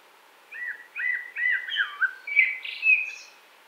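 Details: Common blackbird, 2018, Wittlich: a series of mellow, slurred whistles, each a short dipping phrase, running into a falling flute note and ending in thin, high chattering.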